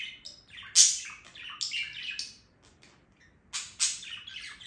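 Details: Budgerigar singing: bursts of high chattering chirps, squeaks and warbled twitters, loud at the start, falling quiet briefly mid-way, then resuming with sharp rising chirps.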